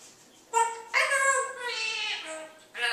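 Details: Pet African grey parrot, about to move to a different state with new owners, responding after being told the news: strained, whining harmonic calls in short bursts, then a long wavering note sliding downward, ending with a brief sharp burst.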